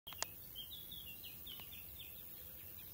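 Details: European bee-eaters at the Soča River mouth nature reserve, Slovenia, on 22 June 2023, give faint, high, rolling notes, a dozen or so over three seconds, against a steady outdoor hiss.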